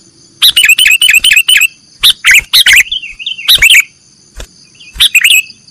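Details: Sooty-headed bulbul singing in the nggaruda style, recorded as a training recording for cage birds: rapid runs of bright, chirpy, slurred notes in bursts, with short gaps between phrases and steady high-pitched tones in the background.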